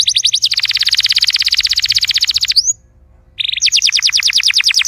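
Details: Canary song aimed at coaxing a silent canary to sing: a broad rapid rattling trill, a brief silence, then a renewed series of fast repeated whistled notes.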